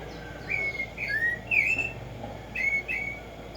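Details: Black-striped sparrow, also called tico tico, singing in nature: clear whistled notes, some level and some slurring up or down, given in loose pairs with brief gaps.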